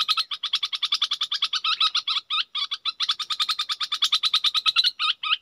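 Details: Red-whiskered bulbul decoy bird delivering a steady, very fast series of short buzzy notes, about three per second, with hooked chirps near the end.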